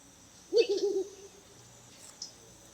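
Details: Mottled wood owl (Strix ocellata) in the Kerala countryside at night gives one quavering, tremulous, mid-pitched hoot of about half a second, then a faint click in quiet surroundings.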